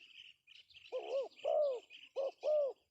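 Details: Pesom-style call of a male spotted dove used as a lure. Two pairs of hoarse arched coos rise over a steady background of small birds chirping rapidly at high pitch.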